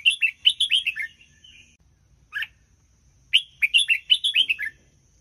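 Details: Doubled-phrase song of a red-whiskered bulbul, offered as a model for young birds to copy: bursts of quick, bubbly whistled notes sliding downward, separated by a single detached chirp and short silences.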